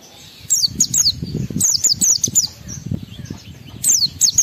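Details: Oriental white-eye singing in a lively forest-style song with mimicked phrases, used as a lure to provoke emotion and breeding urge in other white-eyes: bursts of thin, high, steeply falling chirps in groups of two or three, over low rumbling background noise.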